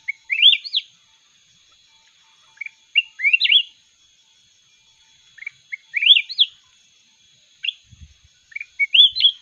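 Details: Contest song of a mountain red-whiskered bulbul: sweet, bright warbled phrases repeated every two to three seconds, each led in by short chirps, with a single low thump near the end.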